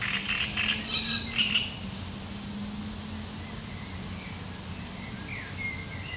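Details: Great reed warbler on 1 July 2020 giving its sharp, chattering song: loud rasping notes repeated rapidly for about a second and a half, followed by quieter faint chirps and a low droning background.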